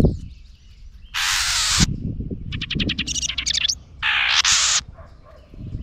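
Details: Mad house wren attacking a GoPro placed near its nest: two loud harsh hissing rasps framing a fast ticking trill, with low thumping and handling noise beneath.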